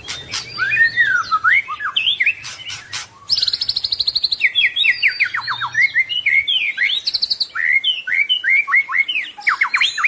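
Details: White-rumped shama singing a full-isian masteran song: rich, varied whistled phrases with swooping and falling notes, a fast buzzy rattling series near the fourth second, then dense bursts of sharp, rising and dropping whistles continuing to the end.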